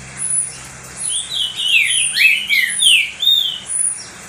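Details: Captive green-winged saltator, or trinca-ferro, in full song to excite other saltators: an unbroken run of rich whistled notes, each slurring downward or arching, delivered rapidly with almost no pause.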